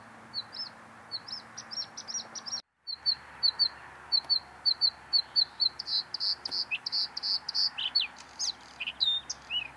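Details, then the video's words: Bluethroat singing: series of high, sharp repeated notes, then faster, varied ringing phrases with trills and buzzy elements, continuous through the recording over a steady low background hum. "Голос варакушки-близкой родственницы соловья. Bluethroat is singing"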